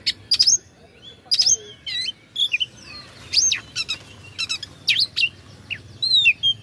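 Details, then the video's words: Oriental magpie-robin song for provoking rival birds: loud clear whistles alternating with sharp chipping bursts and wavering slurred notes, repeated in short phrases. "pancingan kacer agar respo gacor.. kacer ini mampu meningkatkan emosi lawan"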